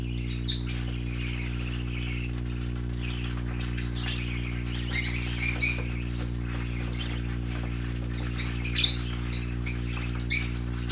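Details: Colorful parakeet babies playing chatter in busy, scratchy chirps that build into bright repeated squeaks toward the end, with a low electrical hum underneath.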